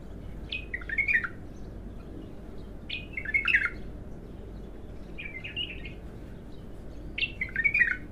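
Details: Untrained bulbul singing for the first time: four bubbly phrases, each opening high and tumbling down in slurred warbled notes, spaced roughly every two seconds, over a quiet low hum.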